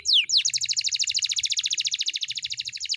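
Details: Kept canary singing a long rolling song for training songbirds: one loud sweeping downward note, then an even, rapid series of clipped high chirps repeated many times per second.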